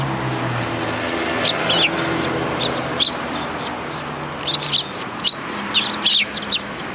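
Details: Sparrows on a road in front of a Tenmangu shrine in Japan, recorded 13 December 2019: short high chirps in loose bursts, busier toward the end, over a low steady hum of traffic.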